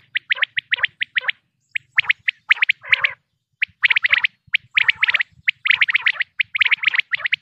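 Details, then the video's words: Common quail from Pakistan, a hunting recording: clusters of sharp, high clipped notes in quick groups of two to four, several callers overlapping with short gaps and faint low rumbling beneath. "quail sounds 2023|batair ki awaz 2023|pakistani batair|top sounds of batair"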